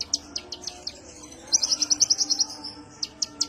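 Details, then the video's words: A sunbird called kolibri ninja in a relaxed lure call: spaced high chips, then a fast even trill of about nine bright notes, and more spaced chips after it. "pancingan konin suara santai"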